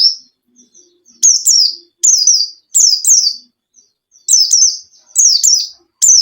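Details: White-eye song meant to prompt a silent caged bird to sing: short bursts of two or three shrill, downward-sliding chirps every second or so. Quiet gaps between bursts hold only faint soft notes.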